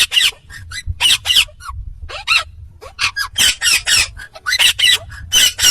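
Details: Indian ringneck parakeet heard talking in a dense stream of loud, rasping, broadband syllables mixed with short upward-sweeping notes, delivered almost without pause, with a faint low rumble underneath.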